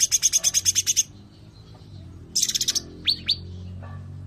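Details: Sooty-headed bulbul, "tembakan rapat" (close-fire) song style: a fast, even rattle for one second, a pause, a second short burst, then two quick upward-flicked whistles.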